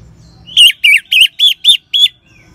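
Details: Orange-headed thrush singing ngeban style to stimulate caged birds: six loud, clear whistled notes, each with a slight dip and rise in pitch, delivered evenly at about five per second.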